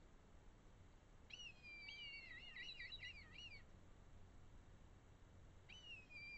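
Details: Red kites in the Eifel, Germany: a high whistled call that wavers in a rapid, shaky tremolo for over two seconds. A second call begins near the end, and there is faint low rumble throughout.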